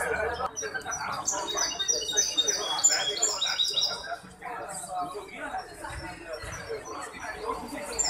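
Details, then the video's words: Hybrid goldfinch singing at a song competition held by the Ain Chock association on 23 May 2021. High, bright twittering phrases and short trills come in quick runs under a steady murmur of people talking. "مباراة تغريد هجين الحسون جمعية عين الشقConcours de chant hybride Chardonneret"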